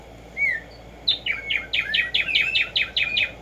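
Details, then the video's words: Black-striped sparrow singing in the wild: one clear, falling whistle, then a quick series of about nine bright, chopped notes with slurred whistles woven between them. "HACER TRINAR a Tumba Yegua Audio para estimular el CANTO a estas bellas aves en la NATURALEZA"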